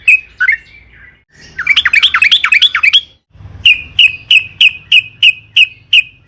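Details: Sooty-headed bulbul (trucukan), singing actively in an excited, long rolling style used as a lure to set other birds singing: a few separate notes, a burst of rapid rising-and-falling bubbly notes, then sharp notes spaced about every third of a second.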